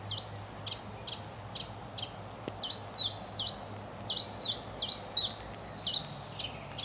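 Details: Common chiffchaff singing its mating song in a spring forest: a long, even run of high, sharp, downward-dropping notes, about two to three per second, growing louder after the first two seconds, with a faint steady low hum beneath.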